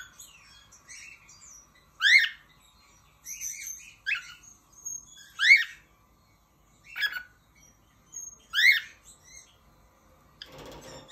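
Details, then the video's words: Pet cockatiel whistling: loud, rising, sweeping notes repeated every one to two seconds with softer chirps between them, and a short noisy burst at the very end. "COCKATIEL SOUNDS"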